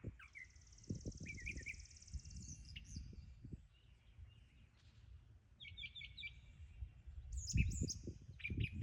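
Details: Brown thrasher working through its varied repertoire, giving a long buzzy trill, then short paired chirps and sharp whistled notes with pauses between phrases; steady low rumbling noise in the background.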